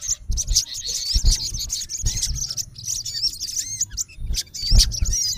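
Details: A male olive-backed sunbird gives a rapid stream of thin, high twittering notes with sharp chips, calling to a rival male; low thumps and handling noise underneath.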